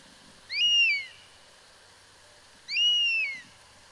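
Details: European Honey Buzzard calling: two drawn-out, plaintive whistles, each rising then sliding down, spaced about two seconds apart, over a quiet background hiss.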